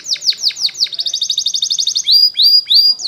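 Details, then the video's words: Belgian canary song used to train young canaries: a run of quick down-slurred whistles, then a fast even trill, ending in three bright rising-then-level whistled notes, all high-pitched and clear against a quiet background. "Belgian Canary Training For Preschool Canaries Sing Diligently"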